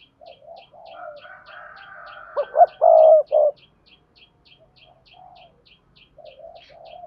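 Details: Spotted dove used as a lure call for other doves: quiet low cooing and a harsh drawn note build into one loud three-note coo phrase, then soft cooing resumes, over a steady run of clicks.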